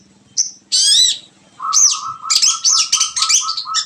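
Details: Long-tailed shrike song: a varied mix of sharp chattering notes, bright whistled upslurs and harsh buzzy phrases, with a steady lower whistle-like tone running beneath the later phrases.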